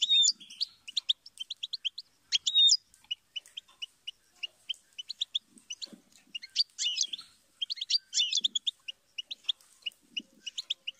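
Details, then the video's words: Goldfinch song made of steady runs of short, high, clipped notes. These are broken by louder tangles of twittering and a few sweeping slurs, with occasional soft low thumps. "inspiring Goldfinch Chirps And Sing"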